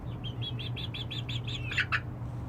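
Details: Chicken chicks roosting at night after perching on their own for the first time: a neat run of about eight evenly spaced, down-curved high peeps, ending in two louder harsh chirps, above a low steady hum.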